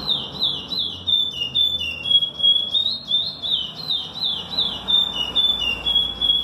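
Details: Sustained song of a chestnut-bellied seed finch: rapid, ringing, high whistled phrases that bend up and down over several seconds, with a soft low rumble behind.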